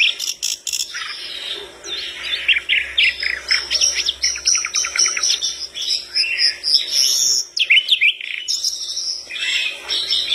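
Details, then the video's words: A sikatan londo flycatcher in full song, said to make other birds respond at once, sings a lively, high run of twittering chirps and quick trills; phrases tumble almost without pause, with a few sharp clicks near the start. "Sikatan londo gacor"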